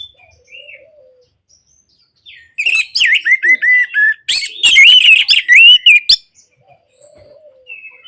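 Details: Orange-headed thrush song, aimed at getting quiet birds singing. Soft scattered notes lead into a loud, dense burst of ringing whistles and rapid chatters lasting nearly four seconds, then soft whistles return.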